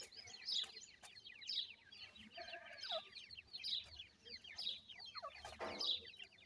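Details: Several grey francolin chicks at play fill the air with continuous high, sharply falling peeps, many birds calling at once in a dense twittering chatter, with a few soft clicks.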